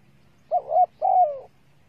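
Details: Female spotted dove cooing to excite males as a lure: a doubled coo note followed by a long, wavering, gradually falling coo, mellow and low, against quiet background hum.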